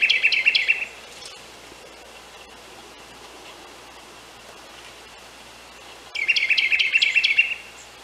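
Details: On a snowy morning a Carolina wren sings for a mate, delivering a loud burst of rapid repeated whistled phrases, then about five seconds of quiet hiss before another matching burst of the same rolling chant.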